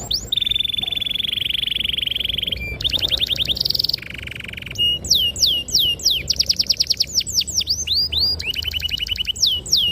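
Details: ['Canary singing clear, sharp, long-rolling phrases to lure young canaries into song: extended steady trills alternating with rapid pulsed rolls and looping upward-sweeping whistles.']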